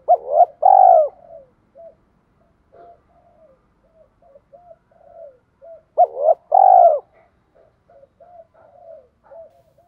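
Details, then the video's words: Spotted dove cooing to spur fighting and bring two young birds back; two loud phrases about six seconds apart, each short coos plus a long rolling note, with low soft murmuring notes filling the gaps. "cu gáy thúc đấu + gáy gọi hai hậu bổi nghe rất nhanh gáy và về cội nhanh luân"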